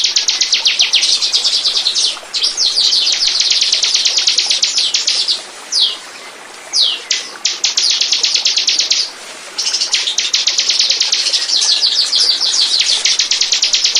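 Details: Bar-winged prinia lure recording to attract birds: long stretches of very fast, high, ticking notes about three per second in bursts, separated by several short harsh rushing pauses.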